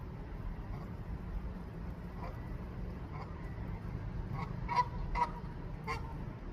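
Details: A goose in a Canadian rooftop garden calls for its mate to come while searching for a nesting place; quiet honks early, then a quick run of four or five louder nasal honks near the end, over low hum.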